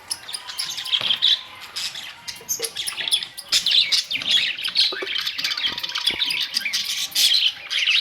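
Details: Budgies on May 2, 2023 in steady loud chatter: high squeaky chirps, buzzy trills and short whistles packed closely together with no real pause.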